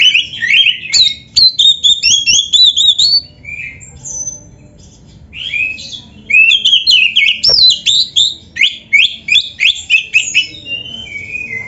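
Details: Oriental magpie-robin (kacer) in full 'gacor full isian' song, a masteran recording for training caged birds: rapid varied whistled phrases, rising and falling slurs and sharp chirps in dense bursts, with brief quieter gaps.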